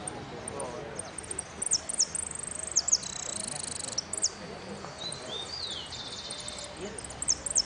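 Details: Hooded siskin in a singing contest, Amarillo Completo final of winners, Merlo, 13 01 13, alternating sharp high chips with buzzy trilled bursts and a gliding down-slurred note; people murmur faintly.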